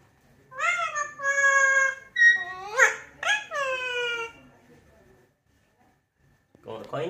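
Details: A pet parrot speaking in mimicked words, with several clear high-pitched syllables sliding and falling in tone, a pause, then a final brief burst of voice indoors.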